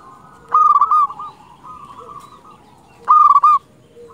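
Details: Local zebra dove calling, used as a lure and to stimulate other doves: two loud, rolling, trilled phrases at steady pitch about 2.5 seconds apart, with a softer trilled phrase between them.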